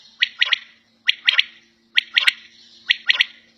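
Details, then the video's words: Quail (batair) calling at home, giving loud sharp three-note phrases, each quick clipped note bright and high, the phrases repeated about once a second, with a faint steady low hum underneath. "Battair Sound In Home"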